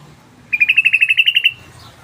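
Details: Rapid 'ropel' trill of a sooty-headed bulbul used as a lure call, about a dozen crisp high notes in one second, slightly rising in loudness, over a soft low background hum.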